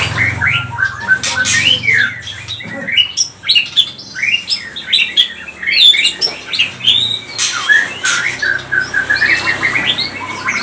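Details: A lure song of a white-rumped shama (murai batu pastol), meant to excite other shamas into singing: a dense, continuous stream of quick whistled notes, upslurs and harsh clicks, over a faint low background hum.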